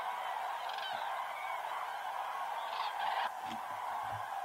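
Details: Migrating cranes at Hortobágy, Hungary, in autumn, flying in the evening from feeding grounds to their roost; a continuous chorus of rolling calls, with a louder burst near three seconds and faint human voices toward the end.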